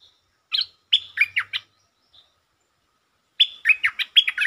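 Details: Stripe-throated bulbul, a resident territorial bird stirred up by provocation, sings two rapid runs of bright, choppy chirps, each a quick string of about five notes, separated by a pause.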